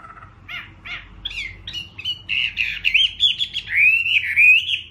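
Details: Singing Chinese hwamei, Garrulax canorus. Starts with spaced short notes and builds into loud, sweeping whistled phrases with rising and falling slides. A low background hum runs throughout.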